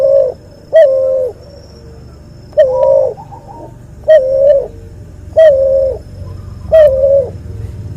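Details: Repeated coos from a cuhu dove bred from a white albino puter and a puter pelung. Six even, half-second notes come at a slightly uneven pace, about every one to two seconds, over a faint low hum.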